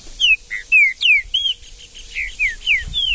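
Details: Green-winged saltator (trinca-ferro) singing in the woods in Brazil: a rapid run of loud, clear whistled notes, most sliding downward, some short upslurred or looped, about three per second, with faint low rumble behind.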